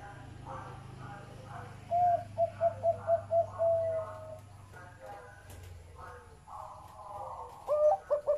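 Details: Zebra dove, described as deep-voiced, cooing a run of short clipped notes that ends in a longer drawn-out coo, with another brief burst near the end, over a low steady hum and softer doves calling behind.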